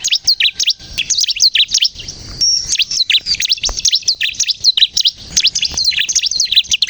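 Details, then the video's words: Bar-winged prinia (ciblek kristal) singing energetically as a lure to make birds call: busy, high chirping with sharp downward flicks, a brief thin whistled note midway, then dense twittering phrases. "suara burung ciblek kristal gacor untuk pikat dan pancingan ciblek bahan agar bunyi"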